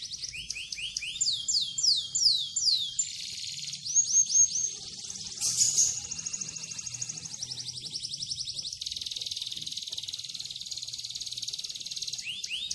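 A canary sings a long, high, continuous song of rapid rolling trills, sweeping whistled notes and buzzy rattles, changing phrase every few seconds without pause.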